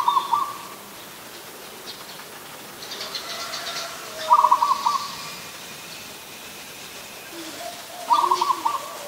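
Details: Zebra dove, an adult, calling in Ubon Ratchathani, Thailand, on 24 December 2020: three quick rattling coo bursts spaced about four seconds apart, with faint chirps of other birds in the background.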